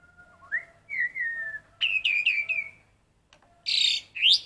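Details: Black-collared starling practising song in imitation of the red-whiskered bulbul: rising and falling whistled phrases, a run of quick looping notes, then harsh bright bursts, over a faint steady background hum.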